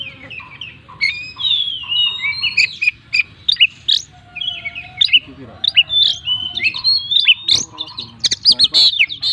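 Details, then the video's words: Kacer full song packed with mimicked phrases: fast jumbled whistles, chips and buzzy notes in quick succession, with a steady lower whistled tone and some clicking sounds in the background. "burung Kacer gacor full isian"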